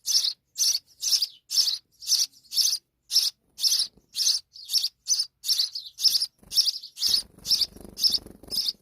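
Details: Young sparrows in Pakistan calling for food as the mother brings insects, a fast steady run of shrill, buzzy chirps, nearly two per second, with low scuffling noise near the end.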